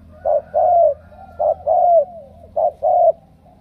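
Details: Spotted dove from Ca Mau, a strong cooer, delivers three quick pairs: a short hoot, then a longer coo sliding downward.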